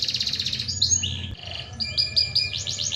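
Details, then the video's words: Canary, described as a strong singer suited for tutoring other birds, delivering a quick varied song: dense high trilling, short whistled slurs and brief buzzy rolls in close succession over a faint low hum. "kenari gacor cocok untuk bahan masteran good canary singing"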